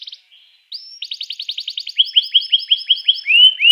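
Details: Canary song played to stimulate other canaries to sing: a few brief notes, a rising whistle, then a quick trill of repeated chips shifting into a slower series of falling slurred notes and ending in louder rising whistles.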